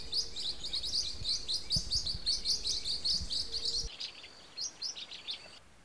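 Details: Blue-winged parrotlets chattering in a busy run of high, clipped chirps for about four seconds, followed by sparser, spaced tweets.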